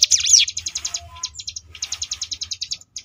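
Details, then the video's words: Ngebrem-style song of a Sunda bush warbler (ciblek gunung): it opens with sweeping whistled loops, then runs into fast ticking bursts of high notes separated by short pauses. "cigun ngebrem variasi"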